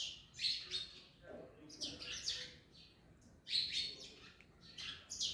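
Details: Parrots eating an orange make grating chirp clusters, loud at the start and again near the middle, with softer scratchy notes and a faint low murmur in between.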